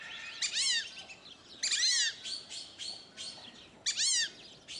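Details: Fulvous whistling ducks, a sociable species, at a zoo in Upie, Drôme, France, give squeaky, arching whistles in overlapping bursts about every second, several birds calling together over a quiet background.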